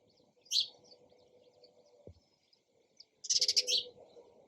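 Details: Sparrow calls: a single bright chirp, a short lull, then a fast, stuttering chatter of several rapid pulsed notes, with a faint hum beneath.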